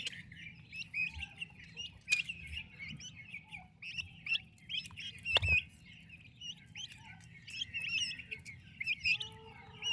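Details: Healthy, active turkey chicks with the mother hen; sustained high-pitched peeping from many young birds, rising and falling in waves, punctuated by several sharp clicks and knocks.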